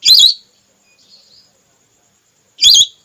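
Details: Whistling duck female call, used as a hunting lure to draw ducks down: two loud, high, harsh whistled bursts, one at the start and one near the end, with a faint short whistle between them and silence otherwise.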